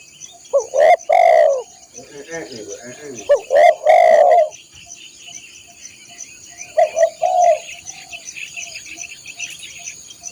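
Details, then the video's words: Spotted dove song played to train caged birds: two full phrases of quick coos ending in drawn-out notes, then a softer short phrase, over a continuous high-pitched insect chorus. "masteran burung tekukur/derkuku"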